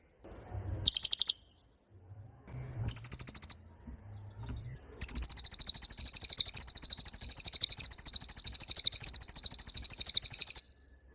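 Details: Pied fantail giving two short, high trilled bursts separated by quiet gaps with faint low rustling. It then breaks into a long, sustained, fast trill of shrill chirps.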